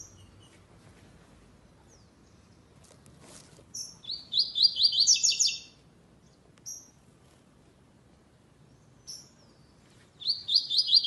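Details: Classic-style song without the third note from a double-collared seedeater entered in a web singing tournament's second stage: a fast, high, buzzy stuttering phrase of about two seconds, a lone chirp, then the phrase starting again.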